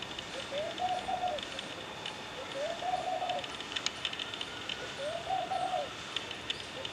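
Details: A laughing dove singing in the morning on a rusty pole gives soft, bubbling, low coo phrases, each slightly rising then level, repeated about every two seconds over a steady background hiss.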